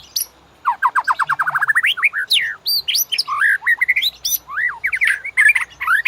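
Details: Loud, varied White-rumped shama master song used to lure caged birds into singing: a fast accelerating series of clear rising notes, then tumbling looped whistles and warbled phrases without pause.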